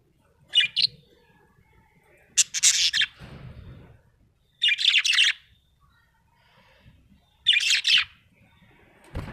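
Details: Small parrot chirping: short bright chirp bursts in clusters, about four groups spaced a couple of seconds apart, with a faint low rumble underneath.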